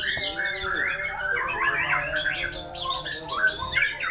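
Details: White-rumped shama singing a sequence of warbled, slurred whistles and short chatters, with a faint low humming tone and murmuring underneath.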